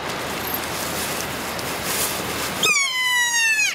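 A kea gives one loud, drawn-out, slightly falling screech after nearly three seconds of steady wind-like hiss.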